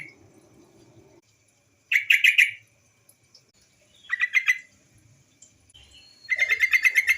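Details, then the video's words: Female white-browed bulbul call used to lure other bulbuls into singing; three short harsh chattering bursts separated by pauses, the last one longer and denser. "suara TRUCUKAN BETINA sebagai pancingan burung trucuk bahan agar cepat bunyi gacor"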